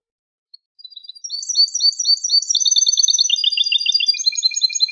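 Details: European goldfinch tutor song for young birds: one faint note, then a long, rapid, high-pitched chattering trill sequence with changing phrases, steadily loud against a clean, quiet background.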